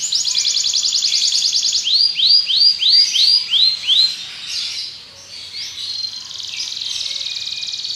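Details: Belgian canary song with a fast bright trill, then a run of looping rising notes repeated about three per second, a brief soft pause and a continuous high rolling trill.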